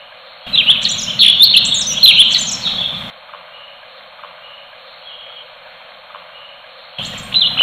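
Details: Orange-bellied leafbird singing a 'tembakan' burst: about two and a half seconds of fast, jumbled, high twittering, then near silence, and a short new burst starting at the close.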